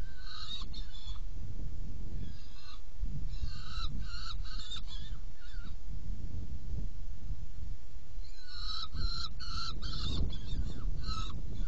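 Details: During a feeding at a saker falcon nest box, 17 June 2018, 10:31, irregular clusters of harsh, repeated calls come and go, with a quiet stretch mid-way, over a steady low drone.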